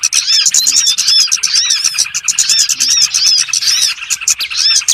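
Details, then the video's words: Small birds on a lure recording used for trapping: a dense chorus of high, overlapping chirps and buzzy upswept notes repeated rapidly and continuously, with several callers sounding at once. "SUARA PIKAT BURUNG BURCIL ANDALAN SANGAT AMPUH"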